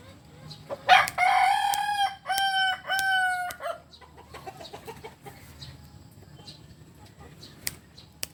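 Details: ['Crowing cock of the Kukuak Balenggek breed from Solok: a long first note followed by three shorter stepped syllables, each clear and harmonically rich, then quieter background with faint chirps and clicks.']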